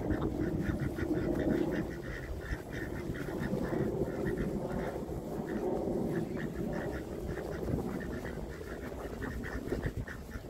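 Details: Flock of crested domestic racing ducks quacking together in a dense, overlapping chorus of harsh nasal quacks, several each second, over steady low background rumble.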